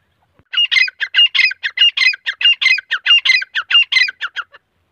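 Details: Harsh rhythmic squawks from a grey francolin pair, male and female, repeated steadily about ninety-five times a minute for four seconds, each note a grating double syllable, background quiet.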